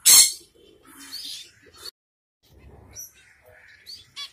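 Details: Finches kept in Kerala, among them zebra, Bengalese and yellow-necked finches, give short, high chirps and buzzy twitters in scattered bursts.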